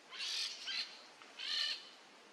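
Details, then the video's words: Brazilian peach-fronted parakeet on a treetop uttering two drawn-out, hoarse rasping screeches, the first slightly broken in two, separated by a short pause. "Gorgeous Brazilian colored Bird on top of tree | Peach-fronted parakeet | Jandaia-coquinho"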